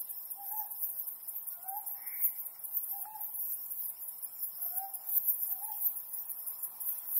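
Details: Night recording of a Ryukyu scops owl beneath the mid-autumn moon. About five soft, clipped hoots come roughly once a second or more, quiet against an unbroken, piercing insect hum.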